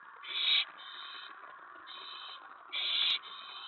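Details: Owl nest at about 1 AM on 24 May 2017, during mouse and rat deliveries. Two strong, hoarse screeches are joined by lower steady rasping hiss between them.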